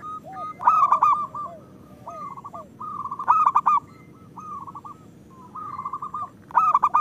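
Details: Local zebra doves singing as a lure for lazy birds: repeated short bursts of rapid rippling coos every second or two, louder trills at the start, middle and end, with softer birds between.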